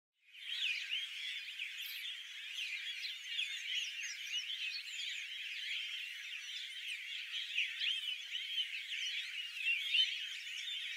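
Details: Tristram's starlings at Ash Shafa, Taif, Makkah Region, Saudi Arabia, in dense, overlapping chatter: a steady wash of high whistled and squeaky notes from several birds, without a break.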